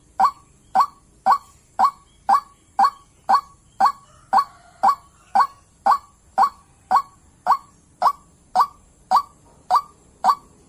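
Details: White-breasted waterhen, a trapping lure call: loud, clipped honking croaks repeated at a regular pace of roughly two per second throughout.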